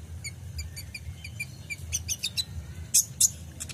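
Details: Kolibri ninja sunbird recorded for training caged songbirds: a soft series of thin, high ticking notes about four a second, then louder, piercing chirps near the end, over a steady low hum.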